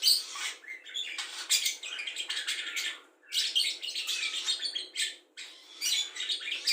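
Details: Songbird-tutoring budgerigar imitating cucak jenggot, kapas tembak, lovebird ngekek and sparring sparrows; continuous buzzy, crackling warble of quick chirps in three long phrases separated by short pauses.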